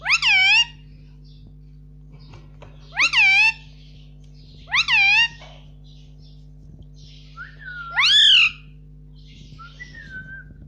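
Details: Pet Indian ringneck parakeet talking, repeating "mummy" nonstop: four loud, clear, harmonic two-part syllables with a rising then falling contour, spaced about two to three seconds apart, over a steady low indoor hum.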